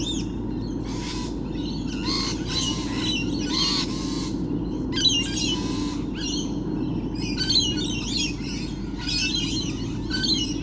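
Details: Many lorikeets, said to be everywhere, recorded on 28 November 2013: harsh, screechy squawks in dense overlapping bursts that come in waves with short pauses, over a steady low rumble.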